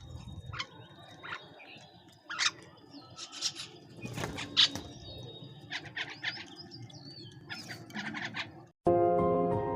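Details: Bank myna feeding together with pigeons; loud, harsh, raspy bursts repeated irregularly over several seconds, with softer chirping from other birds behind, and a steady droning harmonic tone breaking in at the very end.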